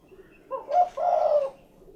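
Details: A single spotted dove coo phrase, a short choppy lead-in and a long low purring note, overlaid with a brief broadband rustle like flapping wings.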